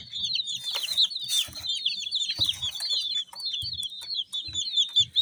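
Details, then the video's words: Colored chicks keep up a continuous stream of shrill, rapid peeps, each note briefly rising and falling. Low knocking and shuffling noises sound now and then. "Chicks Chirping"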